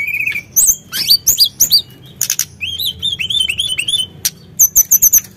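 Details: Sunda blue robin singing energetically as a provoking lure: a steady whistle, sharp high chips, then a chain of wavering rising whistled phrases, ending in a quick series of very high repeated notes.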